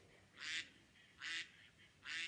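A duck gives three harsh, nasal quacks, one about every four-fifths of a second, over a faint steady background hiss.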